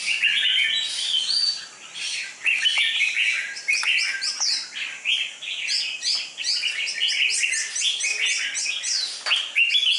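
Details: Red-whiskered bulbul, a caged competition bird with deep red cheek patches and a dark bib, pours out a long, fast stream of bright whistled and chirping notes for ten seconds. Occasional sharp clicks are also heard.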